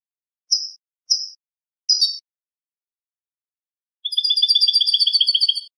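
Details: Clean goldfinch song used to teach caged birds: three separate high chirps spaced about half a second apart, then a fast rattling trill of repeated notes around four per second ... quickly pulsed, in a silent background.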